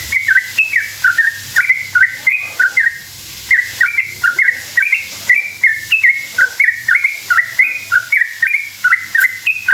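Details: Sooty-headed bulbul singing continuously as a lure for rival bulbuls: bright, bubbly whistled notes, rising and falling, strung into rapid repeated phrases for nearly ten seconds, with a low background drone.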